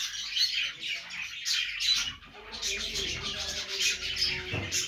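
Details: Happy pet budgies keep up a scratchy, twittering chatter, pausing briefly midway before resuming with a fuller burst of warbled chirps and some soft low background noise.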